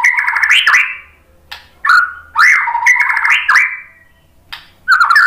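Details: White-rumped shama lure song: rich, rising and falling whistled phrases in bursts, separated by short quiet gaps, with buzzy overtones.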